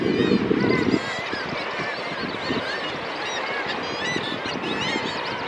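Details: At a Kittiwake colony on Bempton cliffs, birds gathering grass give a dense chorus of nasal, wailing calls, many birds overlapping without pause; a low rumble of wind marks the first second.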